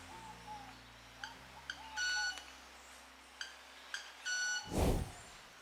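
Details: Male Club-winged Manakin in jungle, making violin-like notes by rubbing specialised wing feathers (stridulation) in courtship display: two dry ticks, then a ringing buzzy tone, twice in a few seconds, over a low musical hum and a brief thump.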